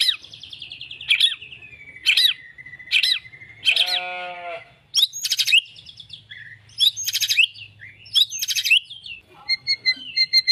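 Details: White-rumped shama described as a fighter with a champion's temperament: a long steady whistle punctuated by sharp high chirps, a harsh rasping note midway, then rapid chattering phrases and ringing high notes; a low hum runs throughout.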